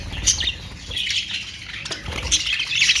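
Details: Australian parrots (budgerigars) give shrill, overlapping chirps and scratchy warbles in short bursts, with a soft low rumble beneath.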